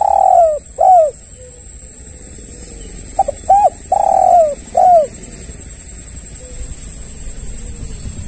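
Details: Lure recording of a spotted dove, used for trapping and tutoring so other doves answer: repeated low, slightly descending coos in two bursts with short clipped notes between, followed by quiet background and a constant faint high whine.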